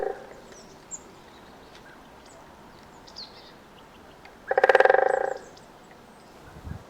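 A Great Spotted Woodpecker drums once: a fast, ringing roll lasting about a second. Faint high calls of other birds sound in the background.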